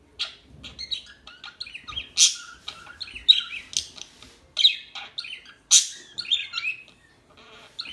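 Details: Gentle bird chatter: clusters of high, quick chirps and short warbled phrases, with a few louder piercing notes, fading near the end.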